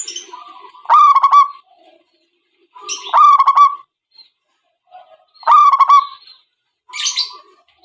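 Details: Zebra dove calling as a lure for trapping: short phrases of a few quick bubbling notes, each about a second long, repeated roughly every two to three seconds with silence between.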